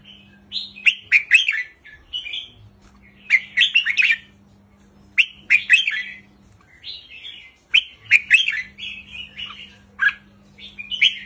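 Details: Song of a caged red-whiskered bulbul, short easy phrases in the 3-4-5 counting style, played to stir up caged birds; repeated clusters of sharp chirps and bubbly warbles every couple of seconds, faint hum behind.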